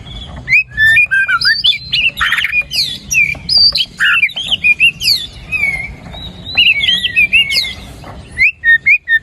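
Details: Energetic white-rumped shama song intended to get a lazy bird singing: long sequences of whistled slurs, chatters and harsh rasps, with brief gaps, ending in a few sharp clipped notes.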